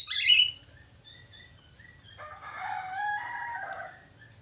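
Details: Budgerigar song opens with a harsh, bright screech. A rough, chattering warble follows, rising and falling over the second half, with faint chirps and a low hum underneath.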